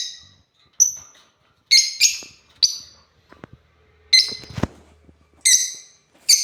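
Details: African lovebirds while playing: scattered piercing chirps and short squawks, some doubled, spread irregularly, with a low knock or thump partway through and soft rustling between calls.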